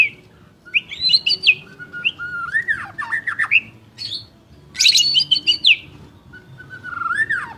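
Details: White-rumped shama singing energetically: rich mix of high chattering bursts, slurred descending whistles and twisting warbles, delivered in quick phrases with short gaps, over a faint low hum.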